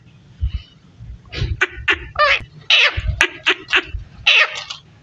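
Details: Parrot talking in a rapid run of raspy, speech-like bursts and short clicks, packed closely together over a faint low room hum.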